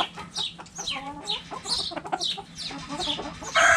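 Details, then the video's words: Backyard hens pecking at a hanging cabbage give soft, low clucks scattered through the moment, mixed with high, thin, falling chirps that recur every half second or so. "Chicken Sounds Noises Hens Clucking Roosters Crowing!"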